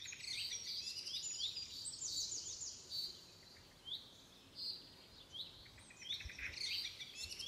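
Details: Red-vented bulbul chicks being fed by a parent in a home garden. Dense high, thin chirping rises and falls rapidly throughout, with short upswept notes repeated roughly every second. Faint background hiss.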